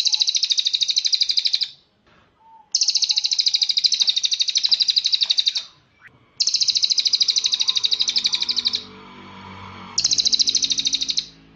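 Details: Cililin singing for bird training, best done in morning or evening: four long bursts of very fast, shrill, buzzing trill separated by silent gaps, with faint low rustling between bursts.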